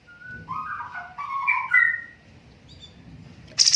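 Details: Cucak cungkok song for training birds: flowing whistled phrases, rising and falling, over a soft background hiss, ending in a sudden buzzy burst.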